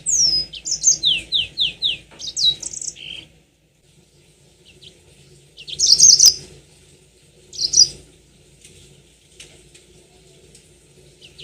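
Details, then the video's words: Mozambik, the Yellow-fronted canary, opening with three seconds of bright rapid downslurred trills used as a singing lure, then only two short, sharp chirpy bursts over quiet background hum. "Pancingan tercepat burung mozambik biar gacor ngerol panjang"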